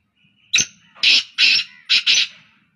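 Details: One of three black francolins calling continuously gives one sharp opening note, then four loud, harsh, grating bursts in quick rhythm, the familiar creaking phrase of the species.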